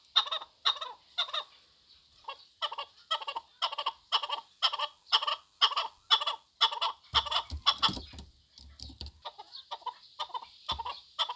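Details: Rhythmic, raspy clucking of a Chukar partridge, roughly two chuk notes each second in an even chain, briefly muddled by a low rumble near the middle before the series resumes.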